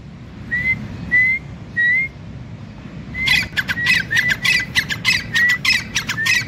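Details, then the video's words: Three clear upward-sliding whistles from a male grey francolin lead into a rapid, harsh, repeated chattering phrase, with each loud note punctuated by a short whistle, over low background noise. "Teetar ki boli | gray francolin voice"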